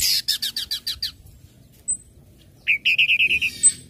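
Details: Orange-headed thrush song played to make other birds sing along: a rapid series of about eight buzzy high chips, a pause with one thin whistle, then a fast run of seven short rolling notes.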